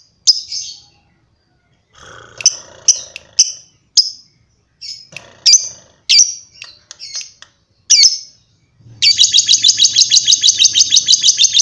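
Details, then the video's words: Lovebird uttering separate sharp high chirps spaced about half a second apart, then breaking into a steady, rapid, buzzing chatter for the final few seconds. "Love bird ngekek panjang"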